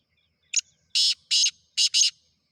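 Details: Call of a black francolin: one brief clipped note, then two rasping broadband syllables and a quick-linked harsh pair, with clean silence before and after.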